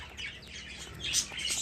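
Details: Budgerigar chicks, fifteen of the young gathered in one place, giving brief raspy high squawks that swell near the end, over a faint low hum.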